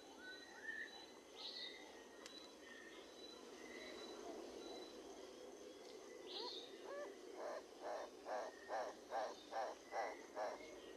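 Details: Livingstone's turaco: after scattered whistles and chirps from other birds, a run of about ten gruff, pulsed croaks begins, evenly spaced at just over two per second and holding steady to the end.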